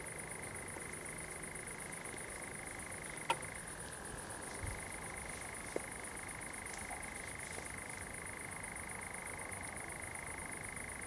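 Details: Night-time churring of a common nightjar in pine woodland near Zamudio, Bizkaia, 7 July 2020: an unbroken trilling churr that drops to a lower pitch for about two seconds, with a constant shrill insect hum and a few clicks.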